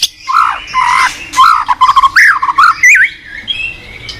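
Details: White-rumped shama singing as a training master for other shamas: lower, rich warbling phrases with looping slurred notes, continuous for about three seconds.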